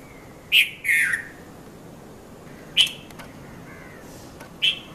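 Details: Dawn calls of a red-vented bulbul, Mount Lavinia, Sri Lanka, 5:30–5:40 a.m.: a note-and-warble phrase, then two isolated sharp chirps about two seconds apart, with a faint low whistle in between.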